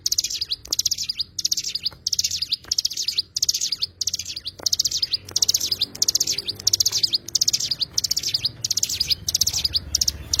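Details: Long bout of cigun song, the Oriental white-eye, in repeated thin, high chattering bursts at a brisk rhythm, with soft low background noise building toward the end.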